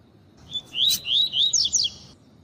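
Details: Female double-collared seedeater calling to stimulate males, a quick series of high whistled notes rising and falling, five or six in about one and a half seconds, over faint background hiss.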